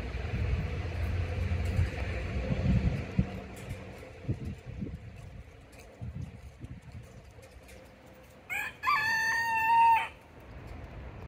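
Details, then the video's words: A red junglefowl rooster near a hardware store in Oviedo, Florida, running away from two other birds, gives a single loud, harsh crow of about two seconds near the end, rising then holding a drawn-out final note, over low traffic-like rumble. "Red Junglefowl Rooster Runs Away from 2 Friends & Says Cockadoodledoo"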